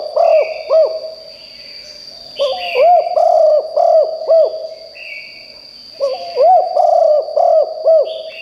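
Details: Spotted dove used to call in wild birds, cooing strongly in three repeated phrases, each of four or five arched, hollow notes separated by short pauses, a steady high whine and faint higher chirps behind.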